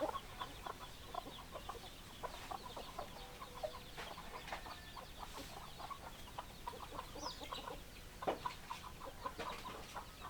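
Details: A flock of chickens keeps up a continuous patter of short clucks, with a few slightly louder, sharper notes near the end.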